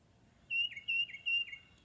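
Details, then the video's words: Tufted titmouse call recording played in Northern Virginia woods one morning: three quick, clear whistled 'peter' phrases, each a high steady note dropping to a lower one, about every half second, over a quiet background. "I'll play the call of the tufted titmouse for you now."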